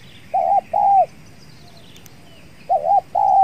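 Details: Spotted doves (tekukur) cooing at a trapping site with a decoy bird, where a very aggressive wild dove is present; two pairs of mellow two-part coos, each a short note then a longer drawn-out one, separated by a pause.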